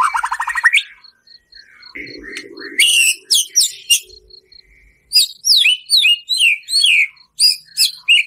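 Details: Captive white-rumped shama song, full of harsh 'tembakan kasar' phrases, played to provoke another bird's emotion: rapid trills, then loud buzzy bursts and a run of sharp descending whistled notes repeated about every half second, with a faint steady tone.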